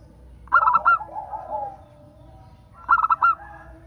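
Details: Local zebra dove song, played to encourage other zebra doves to sing. Two phrases of rapid clear notes, each closing on a stretched note, come about two seconds apart. Muted lower coos sound in between.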